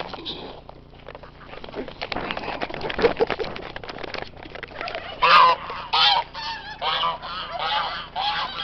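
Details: Geese on a farm turn on visiting outsiders: noisy, breathy rasping and scuffling sounds in the first half, then loud, harsh honks roughly every second, some rough and broken.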